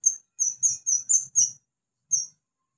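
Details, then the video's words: In natural wild habitat, an olive-backed sunbird gives a brief run of six rapid, piercing high chirps, then a pause and one final matching note. "KICAU KONIN ALAM LIAR HABITAT ASLINYA"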